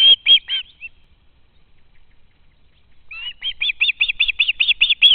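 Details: Fledged young ospreys still at the home nest, begging parents for food, nest camera recording from August 2013; a few piercing whistled screams, a second of near silence, then a rapid run of sharp repeated whistles.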